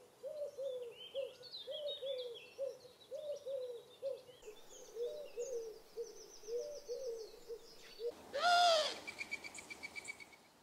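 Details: Eurasian Collared Dove, a UK garden bird, giving soft, low hollow coos in a steady run, with thin twittering from small birds above and one brief loud harsh note near the end.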